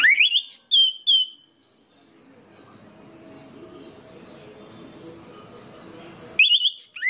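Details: Lure song of an orange-headed thrush, meant to set other birds of its kind singing: clear, high whistled notes in a rapid phrase at the start, a long lull with faint low rumble, then the loud whistling resumes.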